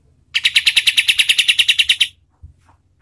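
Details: A kapas tembak delivers a rapid series of about fifteen bright, evenly spaced chirps lasting under two seconds, a master song played to train and provoke competition birds; a quiet thump follows.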